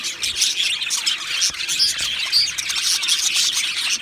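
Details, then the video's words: Two male Australian budgies chirp continuously, a dense warble of high tweets punctuated by short clear whistled squeaks. "2 Male Budgies Birds Sounds | Australian Budgies Birds chirping sounds"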